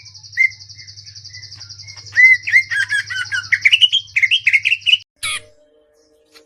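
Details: After a few isolated notes, a Greater green leafbird breaks into a three-second ngentrok-style flurry of quick, rough, rising whistles, then the sound cuts abruptly; constant high buzz and low hum until the cut.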